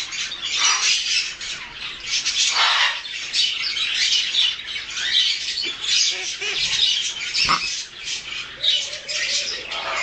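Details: A two-month-old harlequin macaw gives harsh, raspy, hissing squawks almost without pause, mixed with rustling and flapping sounds.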